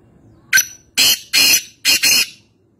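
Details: High, harsh call of a black francolin from Nawabshah, Pakistan: a brief sharp opening note followed by three broad rasping notes, the final one split in two, in a quiet setting.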